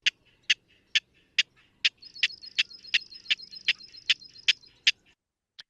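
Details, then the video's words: King Rail song: a steady series of dry, single-noted kek notes about twice a second, with a thin high buzzing drone in the background. "The song of King Rail is a series of single-noted kecks. Sounds like this."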